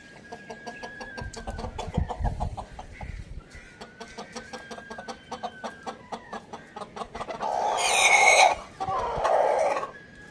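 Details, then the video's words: Morning rooster giving two long, even crows one after another, with steady clucking beneath them, followed near the end by two loud, harsh noise bursts. "Rooster crowing sound in the morning"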